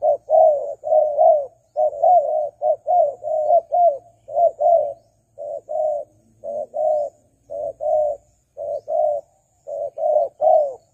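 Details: Spotted dove lure call to draw in wild doves, a rapid run of soft paired coos, short then longer, repeated steadily for eleven seconds with a slight pause midway.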